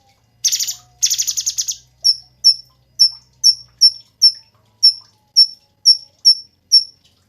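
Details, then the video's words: Cungkok song offered as tutoring material for songbirds: a harsh buzzy stuttering rattle opens, then a steady series of thin, high, clipped chips about every half second. "SUARA BURUNG CUNGKOK SUPER GACOR"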